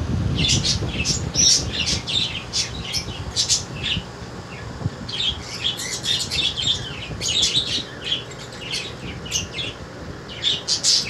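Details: Baby budgerigars bred in 2022 give dense, quick runs of high scratchy chirps, roughly two or three a second, in bursts separated by brief pauses, over faint low noise.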